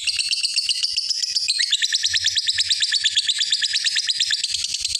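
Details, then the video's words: Lovebird in long ngekek chatter calling a rival, played as a lure to prompt other lovebirds to start chattering; a continuous, rapid, harsh high-pitched trill of fast repeated notes throughout, without pause. "suara Burung lovebird ngekek panjang manggil lawan"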